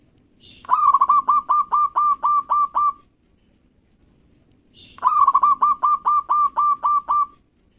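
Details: Zebra dove, a local bird in full song, used to bait rivals into calling: two matching phrases, each a soft lead-in followed by about nine quick, evenly spaced coo notes, with silence between them.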